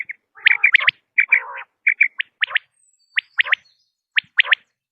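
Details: Common quail giving clipped, sharp notes in small clusters, broken by a couple of lower rasping, nasal phrases against a silent background.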